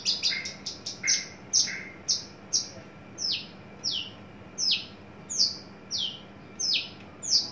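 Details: {'caption': "Caged, tame adult male Horsfield's bush lark in early breeding condition opens with rapid chirps, then gives spaced, sharply descending sweeping notes roughly every half second."}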